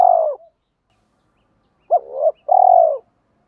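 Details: Spotted dove, male or female, cooing to rouse training birds; the tail of one coo, a silence, then a hooked note, a wavering phrase and a long steady coo.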